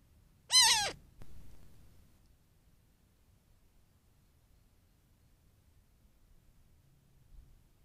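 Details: Young Cooper's hawk visiting a pond in a desert landscape in mid-morning, calling sharply and repeatedly: one loud, harsh, piercing screech that slides downward, followed by a fainter short sound and then near silence.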